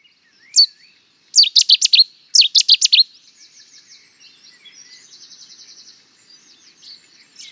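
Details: Cetti's warbler song: a lone high note, then a loud explosive staccato burst of quick sharp notes in two phrases. A faint, softer rapid trill from other birds follows in the background.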